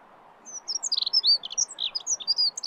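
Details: Song of the dunnock, Prunella modularis: a rapid, bright, tinkling jumble of high squeaky notes delivered in one continuous burst of about two seconds, with soft background hiss.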